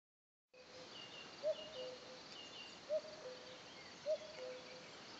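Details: Common cuckoo in the Lot, France, in a tranquil rural setting: three clear two-note cu-coo calls, a higher note dropping to a lower one, spaced about 1.3 seconds apart after a brief silent start, with faint high bird chirps behind.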